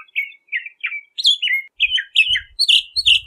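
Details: Varied phrases from a Bahama mockingbird: slurred descending whistles, then higher sweeping notes and rich warbled calls, with faint low thumps in the background.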